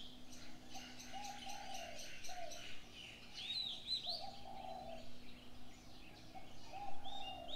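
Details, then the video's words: Several birds calling in the early morning: rows of quick high chirps, then bright swept whistles in the middle, punctuated by repeated low coos and a constant faint hum. "Birds sounds on the morning 清晨鳥鳴"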